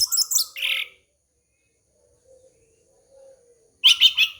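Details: Orange-headed thrush song played to lure young birds: a burst of bright, jumbled chirps and whistles, a near-silent gap with faint low notes, then another loud tumbling phrase.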